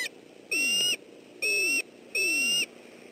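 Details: As an intruder approaches the nest in southwest Florida on 28 December 2013, the defending male bald eagle gives three long, even, shrill whistled screams, each about half a second, with a faint downward-sliding note underneath.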